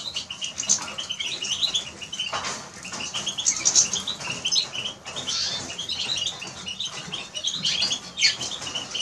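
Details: Continuous high chattering song of Eurasian siskin, with quick repeated twitters and occasional brighter peaks over nine seconds.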